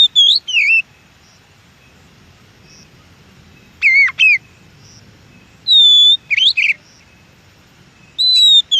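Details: Wild Oriental magpie-robin song, recorded to prompt captive birds to answer: short clusters of bright whistled and slurred notes at intervals of a few seconds, with long quiet gaps between phrases.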